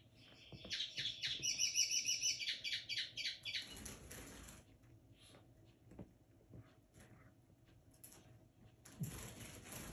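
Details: A young captive linnet hybrid, 2022-bred, sings a quick run of bright, twittering notes with buzzy trills in the first four seconds, then quieter chirps and rustling; Linnet hybrid.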